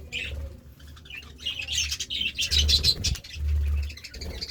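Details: Pet budgerigars at a meal of seeds and vegetables: short whistled chirps and rapid warbled chatter in uneven bursts, with clicking pecks and a low background hum.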